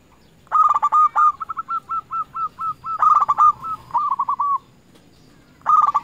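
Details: Lure zebra dove, a local bird singing steadily to call rivals and excite other doves. It gives a long string of crisp hooked coos at a steady beat, a louder stuttered group midway, then a new phrase begins.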